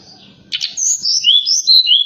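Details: Night singing of a forktail, used to stimulate other birds: a rough burst followed by four or five sweet whistled slurs, stepping between high and lower notes in quick succession.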